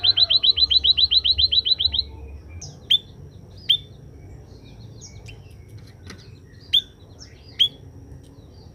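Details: After a sunning session, a scaly-breasted munia gives a rapid string of about twelve high, downward-curling chirps for two seconds, followed by several sharp, isolated sweeping calls spaced a second or more apart.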